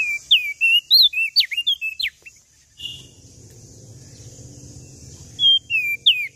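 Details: Vigorous Lombok common tailorbird song: two seconds of quick, clear whistles swooping up and down, a gap filled with low background rumble, then the bright phrases resume.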